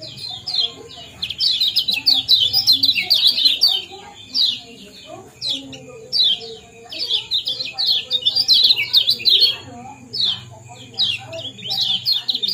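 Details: Lemon-bellied white-eye giving lively 'ciak-ciak' and 'jos' chatter, meant to stimulate breeding condition: bursts of high, quick, sliding chirps separated by short pauses, with faint low hum behind.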